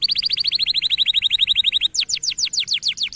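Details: Singing local canary, recorded as a training song: a steady rapid trill of identical high notes for almost two seconds, then a slower run of loud descending whistled slurs.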